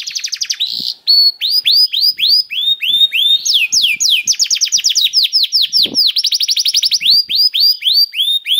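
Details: Singing canary, played to get other canaries singing: a steady chain of bright, downward-curving whistled notes about four per second, broken by fast rattling trills and a higher rapid roll, with faint clicks beneath.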